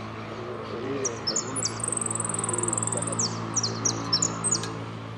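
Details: Saffron finch (jilguero) singing the "El Cristalino" style with prio, golpe and pitadas: very high, thin notes in short stepped slurs, then a fast, even buzzing trill, then more clipped high notes. A steady low hum runs underneath.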